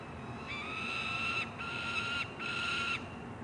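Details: At a peregrine falcon nest box in Columbus, Ohio, in June 2016, a juvenile gives two long, harsh, even-pitched screams of about a second each, separated by a brief gap.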